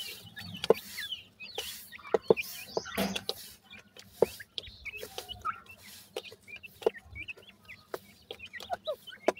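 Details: Grey francolin chicks, hatchlings growing toward independence, give scattered short high chirps and peeps, some rising, some falling, among sharp clicks and taps and a low steady hum.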